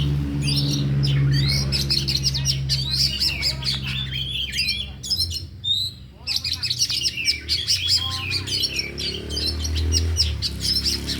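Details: Afternoon training session of four oriental magpie-robins showing their isian: dense rapid twittering and whistled slurs, a short break near the middle, then more chatter, with a loud low hum throughout.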